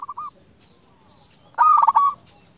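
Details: Local zebra dove in full, lively song. A short cooing note opens, then a loud burst of fast, stuttering, purring coos. Soft rustling noise sits underneath.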